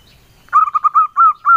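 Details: Local male zebra dove with a soft, mellow engkel-style song: after a quiet start, a quick stuttering run of short cooing notes opens into longer, smoothly drawn coos that gently rise and fall.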